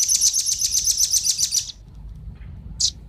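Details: High, rapid, rattling trill of velvet-fronted nuthatches, male and female, on a lure recording for wild birds, fading after under two seconds and followed by one isolated sharp note.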